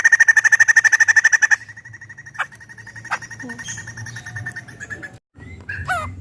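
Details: White-crested laughingthrush kept in a collection opens with a loud, fast string of repeated ringing notes, then softer scattered calls and clicks with a brief sharp rising note near the end.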